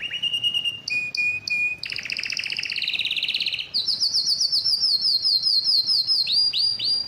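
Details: Canary in excited breeding condition singing to a female: a clear whistled note, short repeated figures, then a long dense rolling trill sliding lower, followed by rapid high chips and bright rising notes.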